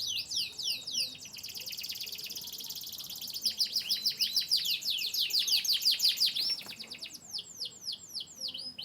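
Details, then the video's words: Canary, of Yorkshire descent from Turkey and the US, singing a long rapid song of repeated downswept whistled notes, shifting into fast trills and buzzy rolls, then slower descending chirps near the end. "chirping birds.Canary bird. descendant of yorkshire"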